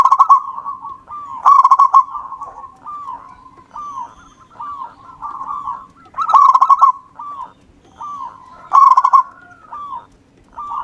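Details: Zebra dove of local wild stock, singing vigorously for use as a lure: loud clusters of fast pulsed coos recur every two to three seconds, linked by softer, evenly spaced curling coo notes.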